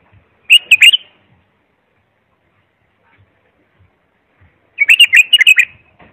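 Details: Bulbul song for coaching young birds or a singing adult: a short melodious warble of several whistled notes, silence for about four seconds, then a longer repeat of the same phrase.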